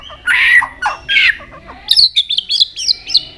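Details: White-rumped shama changing its song repeatedly while flicking its tail; loud buzzy warbled phrases give way to a rhythmic series of six or seven short, high, looping whistled notes.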